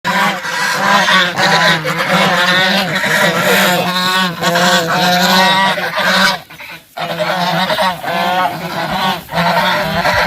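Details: Bangladeshi goose calling loudly, a near-continuous run of harsh, nasal honks with rich overtones that rise and fall in wavering notes, briefly broken by a short pause around the middle before the honking resumes.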